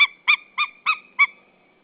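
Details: At their Saunja nest in Estonia, a wild male white-tailed eagle calls to the arriving female on 24 February 2013 at midday: five evenly spaced, sharp yelping notes, roughly three per second.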